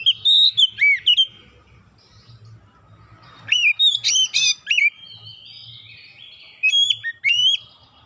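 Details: Oriental magpie-robin singing to coax birds into song: varied bright whistles, swooping slurred notes and dense rapid twittering in quick succession, with a low steady hum underneath.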